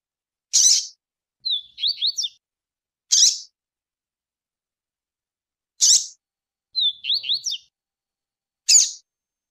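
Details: Double-collared seedeater (coleiro): a female's sharp, bright chips every two to three seconds alternate with a male's brief, quick, twangy tui-tui phrases of high zigzag notes, meant for training birds. No other sounds.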